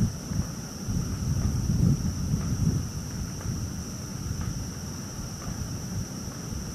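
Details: Low rumbling like distant thunder or rain under a steady high electronic whine, with no clear animal calls.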